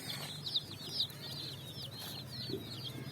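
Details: Group of coloured chicks on sand in the evening, feeding: shrill high peeping from many chicks in rapid overlapping bursts, over low background hum.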